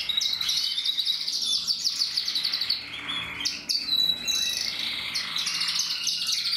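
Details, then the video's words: Captive-bred Portuguese Harlequin canary in song, 2024: dense rapid trills and chattering notes pour out almost without pause, with a short break midway before the rolling phrases resume. "Kanarienvogel Portugiesischer Harlekin singt"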